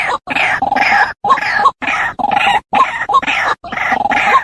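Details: Lure recording of a white-breasted waterhen, used to draw the birds in: rough, nasal croaking phrases about half a second long, separated by short silent gaps and repeated steadily.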